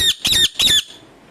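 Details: Three short, harsh screeches from a pet parrot that, its owner says, only screams and will not talk; a quiet room follows.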